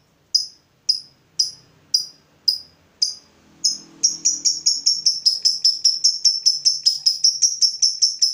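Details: Fighter lovebird answering a provocation: about seven sharp high ticks spaced half a second apart, then an accelerating, even chain of rapid bright notes forming the long ngekek.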